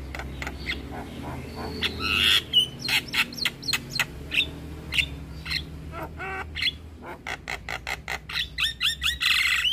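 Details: Javan myna in a full-fill master song: a dense, varied stream of sharp clicks, squeaky whistles and scratchy notes in quick succession over a constant low electrical hum.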